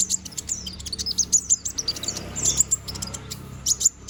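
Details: Young konin bird growing in new feathers and in full song: a dense run of very high, sharp chirps and clipped tweets, packed closely with only brief gaps.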